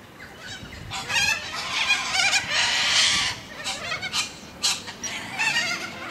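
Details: Several Australian white cockatoos screeching harshly, described as very noisy; rasping, broadband squawks overlap almost continuously, with brief gaps and sharper shrieks toward the end.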